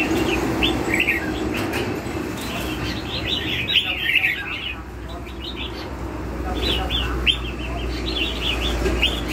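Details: Red-whiskered bulbul in "lân hầu bò" style song, delivering dense bursts of sharp chirped and slurred notes, briefly quieter midway, over low background rumble.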